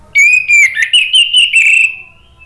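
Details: Whistled 'ngeplong' song of an orange-headed thrush from Indonesia, used to provoke singing: clear sustained notes, then a run of rapid warbling, ending with a long fading whistle.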